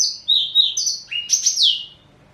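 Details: A four-year-old male black-throated canary of Somerini x Botswana stock, kept as a pet, gives a short burst of song: a drawn-out high whistle, then a buzzy rising note and a sharp descending slur, ending in quiet.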